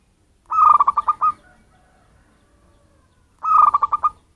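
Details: Local wild zebra dove, a bird from its natural habitat used as a lure for catching birds. It gives a rhythmic series of short staccato cooing notes, twice, with a quiet pause between phrases.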